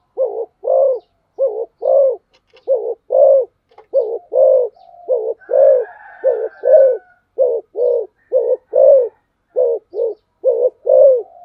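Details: Spotted dove calling in the fast 'thúc gù' cooing style, a long, rapid, steady run of about twenty low, hollow coos, mostly in quick pairs roughly every half second, with a brief faint higher tone midway.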